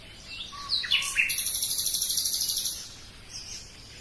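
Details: Common nightingale song: a few slurred whistles and chirps lead into a fast, even trill of very high repeated notes lasting about one and a half seconds, followed by a softer phrase.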